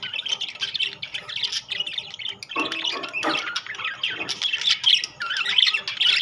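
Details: Rainbow-coloured and classic budgerigars fill the air with overlapping scratchy warbles and sharp chirps, broken by a couple of lower, noisy bursts midway.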